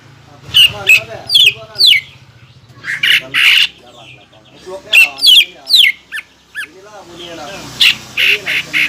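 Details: Greater green leafbird (cucak ijo), a lure song used to provoke contest birds into the fighting 'ngentrok' style; loud, harsh squawking bursts with quick sweeping notes, grouped in clusters of three or four with short pauses, and a faint low hum early on.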